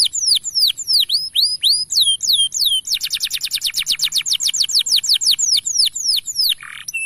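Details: Male canary song for training young canaries to sing: loud repeated downward-sweeping whistles, then a rapid rattling trill of many quick high notes, followed by more descending whistled notes.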